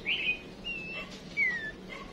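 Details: A female songbird used as a decoy (kept as a lure to rouse other birds into competitive song) gives three thin, high whistled notes, the last a longer downward slur, over faint steady background noise.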